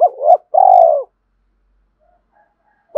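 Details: Spotted dove used as a lure voice for wild doves: a rising note and a long, throbbing, falling coo, then quiet with faint distant tones before another coo begins at the very end.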